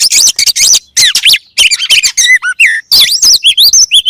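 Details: Kacer, or oriental magpie-robin, with a voice said to get other kacer working immediately: choppy bursts of harsh high squeaks, then clearer downslurred whistles and looping notes in short, varied phrases.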